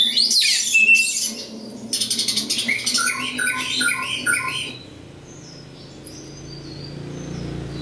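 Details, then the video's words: Oriental magpie-robin, local East Java bird, giving harsh scratchy bursts then a rapid run of short repeated chirped notes, trailing off into quieter high whistles over a low background hum. "kacer lokal jawa timur"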